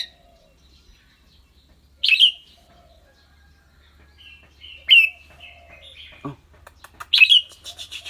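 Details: Clear-toned red-whiskered bulbul in a cage, giving song and rik chatter: three loud bright bursts about every two to three seconds, each trailing into a thin whistle, with a short low human sound between.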